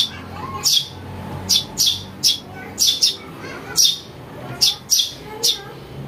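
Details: House sparrow chick calls for luring birds: scattered scratchy chirps, mostly doubled, with gaps of about a second, over a quiet low rumble.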